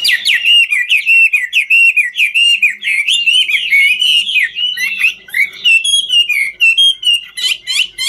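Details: Dancing Chinese hwamei of the 'ngũ trường' type: an unbroken, energetic flow of loud whistled notes sweeping up and down, densely packed with short trills.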